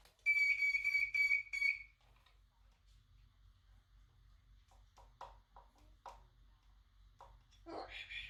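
A Moluccan cockatoo mimics household noises: a loud, steady, high electronic beep-like whistle for about a second and a half, then soft clicks and a short harsh rasping note.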